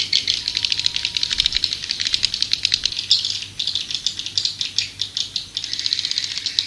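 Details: White-nest swiftlet lure sound: an unbroken rattling, pulsing high twitter that swells and fades in rapid waves throughout.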